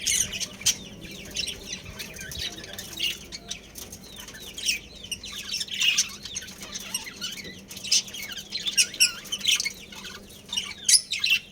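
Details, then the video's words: Budgerigars of a breeding pair chatter continuously, a dense stream of high, rapid, scratchy chirps and twittering notes with a few louder peaks, over a faint low hum. "Adorable Budgies Chirping Sounds"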